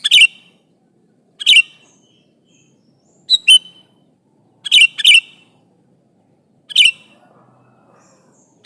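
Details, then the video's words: Sooty-headed bulbul, a prolific singer calling an opponent: short liquid chirped phrases repeated roughly every one and a half to two seconds, some doubled, over near silence. "Suara burung kutilang gacor memanggil lawan ini"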